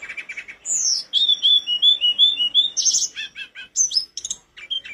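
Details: Mountain flowerpecker (tledekan gunung) singing energetically, used as a tutor recording: a high, fast chatter of thin whistled notes with downslurred and rising slurs, then short clipped chips near the end.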